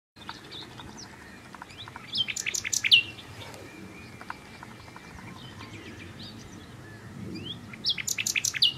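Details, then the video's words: Common nightingale singing. Two short bursts of rapid, high, sharply repeated notes, one near the middle and one at the end, with a faint thin sustained tone between them over steady background hiss. "Nightingale singing"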